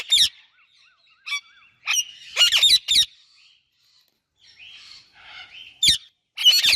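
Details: Indian ringneck and Alexandrine parakeet chirping together, giving loud, harsh, high screechy chirps in scattered bursts with quieter twittering between them and short silent gaps.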